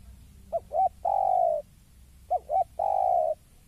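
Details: Spotted dove calling on seeing a rival: two phrases, each of two short, rising coo notes followed by one long, steady, slightly falling coo, with quiet low rumble beneath.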